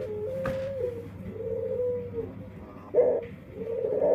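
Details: Dove singing in an unusual, distinctive voice that may be a defect. It gives soft, low coos, a few drawn-out notes followed by a louder rough coo near the end, over a steady background hum.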